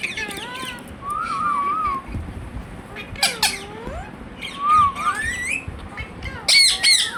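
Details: Pet Indian ringneck parrot talking, reportedly saying "Hello" and "Mithu Mithu"; squeaky, voice-like phrases rising and dipping in pitch, separated by pauses, with sharp harsh bursts.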